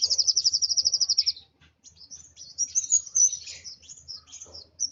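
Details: Excited Van Hasselt's sunbird gives a quick run of high repeated notes, then a scratchy, jumbled stream of thin twittering chirps over a soft low hum.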